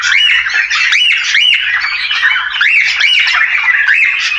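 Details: Budgerigar mating calls for bringing pairs into breeding condition: harsh arched squawks repeated in quick rhythmic bursts, a bright raspy chatter running continuously.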